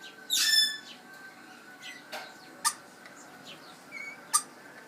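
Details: A baby lorikeet, back home for food and shelter and which the owner believes has hiccups, makes a harsh screechy burst, then short sharp hiccup-like chirps at irregular intervals over a steady background hum.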